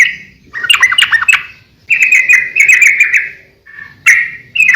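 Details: Sooty-headed bulbul song for luring and teaching birds: quick tumbling notes, then a sustained rattling trill over a second long, a pause, and more bright whistled phrases.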